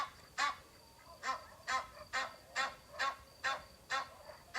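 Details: A farm goose gives nine loud, harsh, nasal honks in under five seconds, about two every second, over a faint steady hiss.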